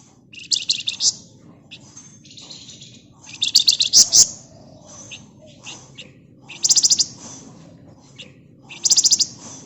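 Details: Flamboyan bird singing actively in the rapid ngebren nyerecet style, meant as a lure for other birds: dense high buzzy chattering bursts separated by softer thin twitters, with sharp rattling trills near the end.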